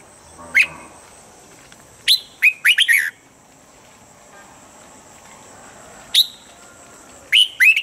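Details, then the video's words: Red-whiskered bulbul morning training voice: a single sharp note, then a quick series of four chirpy warbles, a three-second pause, and the pattern begins again with a whistle and fresh chirps. "Luyện giọng chào mào âm chuẩn mỗi sáng giúp chim nhanh căng lửa"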